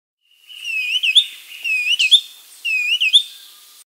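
Black-capped Becard giving clear, high whistled phrases that swell and end in a sharp upslurred note, repeated about once a second against a quiet background.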